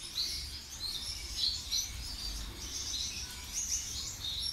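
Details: Gouldian finch in Tunisia: soft, high, thin chirps and faint buzzy notes in loose repeated phrases, quiet under a low background rumble.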